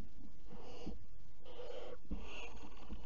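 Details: Barn owl in a nest box on 11 July 2018 around 20:42 gives raspy, breathy hisses in drawn-out bursts of about half a second, roughly one every second, over a low background hum.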